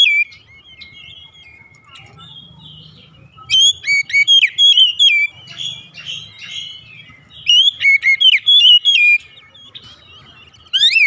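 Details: Oriental magpie-robin in morning song, delivering varied whistled phrases: an opening warble, then two dense bursts of quick, sweeping high notes, plus a soft low hum in the background.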